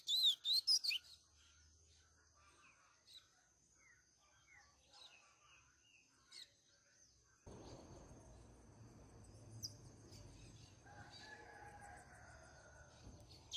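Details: Double-collared seedeater: a loud burst of high, twittering notes, followed by faint scattered chirps; a Greek-style song recording for teaching young birds.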